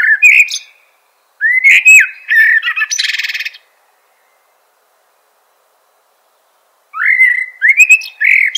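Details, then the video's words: Common blackbird singing: a fluted, warbling phrase near the start, then a longer mellow run ending in a squeaky, scratchy twitter, a silent pause of about three seconds, and another rich warbled phrase with high squeaks; no other sounds. "Bird Natural Sound.Common Blackbird"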